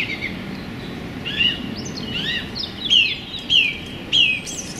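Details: Song thrush in full song in a small London park on a sunny January day: varied high chirps and downslurred whistles, then three bright, sharply falling notes repeated about every half second.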